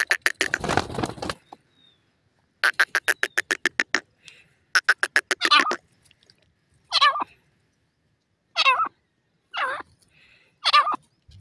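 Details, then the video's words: Caged Irani teetar partridges fighting: a noisy rough burst, then fast, evenly pulsed clucking trains, followed by several spaced, harsh, grating calls about every second and a half. "partridge ladi and awaz"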